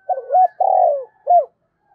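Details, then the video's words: Spotted dove decoy bird calling with its crowing coo: a low two-part hooted opening, a long purring vibrating coo sliding downward, and a clipped final hoot. Faint high thin notes sound behind. "Chim Cu Mồi Thúc Và Gáy Gọi, nhìn xấu xấu nhưng được cái giọng hay"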